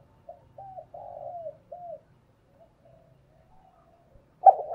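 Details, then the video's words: Decoy spotted dove cooing to train newly caught doves: a clear phrase of four mellow, low coos, then faint murmuring and a sudden louder coo at the very end. "Tiếng chim cu gáy kích bổi nhanh nổi hiệu quả, cu gáy mồi luyện bổi nhanh gáy và hay nhất"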